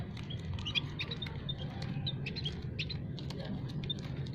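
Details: Aviary flock of munias, calls meant as a trapping lure: a busy stream of short, high, squeaky chirps from several birds at once, with a constant low background drone.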